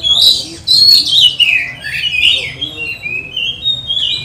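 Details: Oriental magpie-robin in full 'gacor nembak' song, used as a lure to train and provoke other magpie-robins during lockdown; high, fast whistled phrases sliding down and rising again, loud and continuous.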